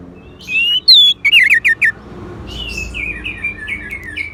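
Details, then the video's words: Song of an orange-headed thrush: a run of clear, falling and wavering whistles, several short notes close together, then a softer series of descending whistled phrases. "Suara ANIS MERAH"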